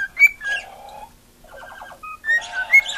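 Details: Female pet cockatiel vocalising for attention with short scratchy warbled chatter, a couple of clear whistles, and a quiet pause between bursts.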